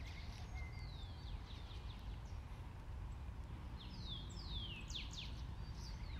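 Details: Several swallows trade quick, sweeping chirps over a steady low rumble of wind, recorded on the Bogotá savanna near a conifer tree.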